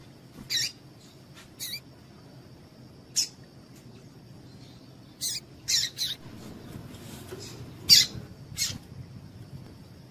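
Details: A series of short, thin, high chips from a female coleiro tui tui, spaced unevenly and sometimes clustered, used to warm up a male so he sings; low steady hum behind.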